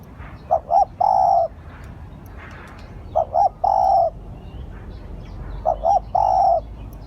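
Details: Spotted dove used as a lure bird, giving three evenly shaped phrases roughly every two and a half seconds, each two clipped coos then a longer sustained coo.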